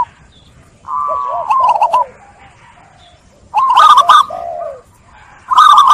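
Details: Zebra dove song used to restart cooing in doves stressed by netting: drawn-out level coos, falling low notes and two loud stuttering trilled phrases with clicks.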